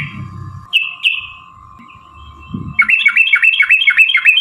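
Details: Fighting song of a yellow-vented bulbul, used to provoke birds into song: two clear whistled notes, a quiet stretch with low rumbling and a steady hum, then a fast run of looping bubbly phrases.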